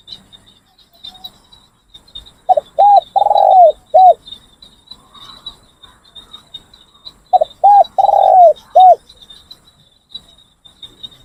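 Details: Spotted Dove decoy birds cooing during a training session: two separate phrases of a few low, hollow coos each, with the longest note in the middle, against a steady high thin whine.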